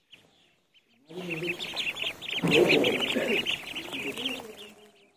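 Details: In a pond, ducklings call in a dense run of rapid, high, piping peeps, close to three a second, layered over lower, rough, nasal quacking for about four seconds before fading.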